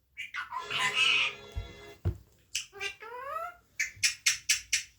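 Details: Hungry pet parrot talking indoors, telling papa it wants food: squeaky high-pitched voice with a wavering note, a sharp click, rising whistled sweeps, then five quick bright chirps near the end, with faint music behind.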